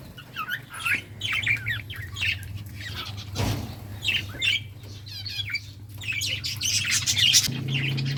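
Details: Budgies chirping while playing, a busy chatter of short twittering and buzzy notes, with a loud broadband knock in the middle and a low hum throughout.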